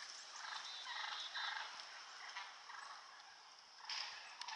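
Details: Several turkeys in a yard wood line, fighting: harsh, rough calls in short bursts, repeated irregularly, over a steady high hiss.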